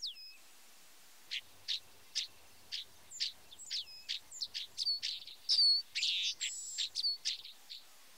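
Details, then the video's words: White-browed meadowlark (Leistes superciliaris) song: an opening slurred whistle, then a quick run of high, scratchy chips and buzzy notes building into a jumbled, wheezy flourish. "POLÍCIA-INGLESA-DO-SUL canto (LEISTES SUPERCILIARIS), WHITE-BROWED MEADOWLARK, FLAMENGUINHO"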